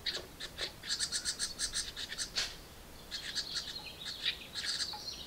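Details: House wren nestlings in a birdbox begging loudly as a parent brings food: a rapid run of harsh, raspy high chirps in quick bursts, then a sustained buzzy high trill with more scratchy notes.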